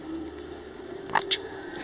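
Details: A pet male Quaker (monk) parakeet mimics a fart with two quick raspy bursts, the second higher and sharper, over a steady low hum.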